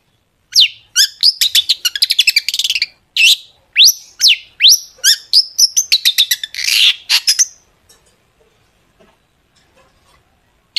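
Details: Long-tailed shrike in lively gacor song packed with sharp tembakan phrases: a fast run of steep rising and falling whistles and clipped chips, roughly two per second, for about seven seconds, then silence.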